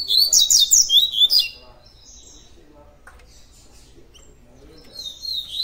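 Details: Double-collared Seedeater singing the coleiro tui tui song: a fast phrase of piercing, slurred high whistles and chirps for about one and a half seconds, then quiet until the bird resumes near the end.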